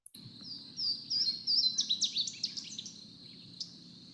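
Louisiana Waterthrush song: a few loud, clear, slurred whistles dropping in pitch, then a quick jumbled twitter of hurried notes, over a low steady hum.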